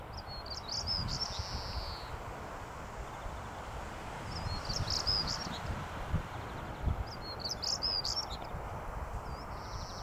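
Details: Singing European stonechat, Hengistbury Head, 21 March 2019: three short scratchy phrases spaced about three seconds apart, one ending in a drawn-out high note, with steady wind rumble beneath.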